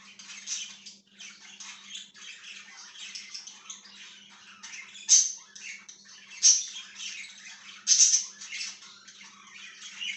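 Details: Budgie, dated 1/6/2023, close and loud: continuous scratchy warbling chatter punctuated by three sharp, high squeaky chirps at roughly one-and-a-half-second intervals, with a faint low hum.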